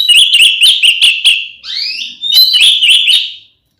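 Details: Oriental magpie-robin singing a fighting song used to provoke rival magpie-robins: fast repeated sharp whistled notes, a rising slurred whistle in the middle, then more quick chips fading away.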